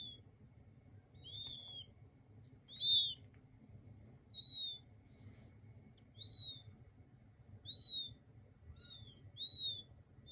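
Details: Gentle king quail chick calls: single high whistled peeps, slightly arching, spaced about every one and a half seconds, with a soft low hum throughout.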